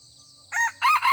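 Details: Red junglefowl cock greeting a decoy rooster during a season when wild males are not yet combative: two close, loud, hoarse crowing phrases, the second longer and held, with a constant high insect drone and soft low rumble behind.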